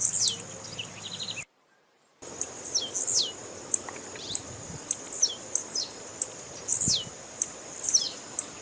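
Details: Female blue-black grassquit calling to rouse males for tournaments. High clipped ticks and repeated falling whistled slurs, with a brief silent gap early in the recording.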